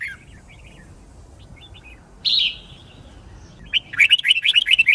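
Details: Red-whiskered bulbul fighting song for training birds to pick up songs: soft scattered notes, one loud slurred whistle, then a rapid rhythmic series of bright, bouncing warbled notes.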